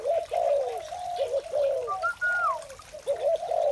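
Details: Morning spotted doves: throaty low coos in clustered phrases, a gap, then a sustained whistle that sweeps downward before the cooing resumes.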